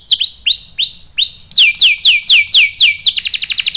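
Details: Canary singing as bait to make a male respond with rolling song: slow rising whistled notes, then looping downward slurs, then a quick burst of crisp repeated chirps.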